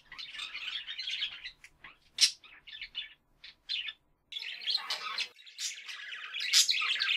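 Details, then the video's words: Budgerigars chatter in high, scratchy warbles and trills, with bursts of rapid chirps broken by brief pauses; sharp squeaks cut through now and then. "Joyful Budgerigars"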